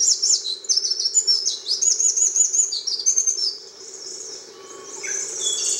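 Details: Eurasian wren at Ōji-ike pond, Miyake-jima, Japan, 22 May 2011 (heard singing since April) pours out a loud, high, rapid song of tumbling trills and sharp ringing notes, fading to a softer, thinner stretch in the second half.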